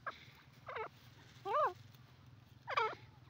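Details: Female francolin calling: three or four separate harsh, nasal phrases spaced about a second apart, each with stacked wavering upslurred and downslurred notes, over a low steady hum.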